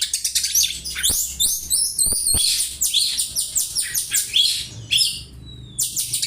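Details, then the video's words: Oriental magpie-robin mimicking house sparrow for tutoring: rapid high chirps and slurred whistles in quick runs, a few sharp clicks, ending with a thin rising whistle. "Kacer nembak burung gereja , cocok bwat masteran"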